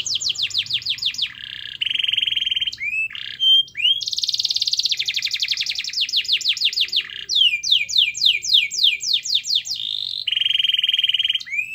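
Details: Lively canary song for stirring a silent canary into singing. Long varied song: fast descending trills, buzzy rattling rolls, upslurred whistles and a dense buzzing passage, with phrases changing every second or two.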